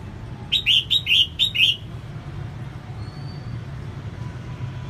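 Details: Singing female red-whiskered bulbul, used to stimulate males, delivers one fast phrase of five bubbly whistled notes, then falls silent, leaving a steady low rumble and a faint thin tone.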